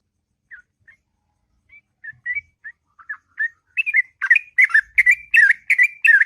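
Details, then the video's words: Morning ngropel song of a sooty-headed bulbul: it begins with a few soft, scattered whistles, then swells into a loud, rapid chain of bubbling, slurred notes toward the end. "Burung Trucuk Ngropel Panjang & Merdu Di Waktu Pagi"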